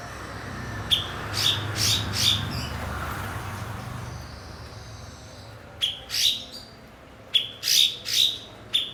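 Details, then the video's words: Blue-winged leafbird, a kept mimic used to train other songbirds; bright high chirps with sliding tails come in two bursts separated by a lull of low rumbling background noise. "MASTERAN BURUNG BERKICAU "CUKOK""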